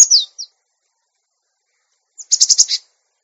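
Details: Cinereous tit on a training recording for untamed caged birds; a high down-slurred whistle with a faint echo note, then a pause and a rapid series of about five buzzy, rattling notes, against silence.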